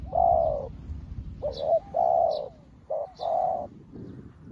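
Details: Spotted dove decoy, newly kept, calling wild doves in for trapping: loud mellow coos, a long note, then a short-long pair, then a short-long pair again, over low background hum and a few thin bird chirps.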